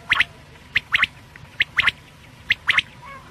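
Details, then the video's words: Quail calling in the morning: harsh, squawky paired bursts, repeated irregularly about once a second, over a faint low background hum. "Batair sound Subha k Liye"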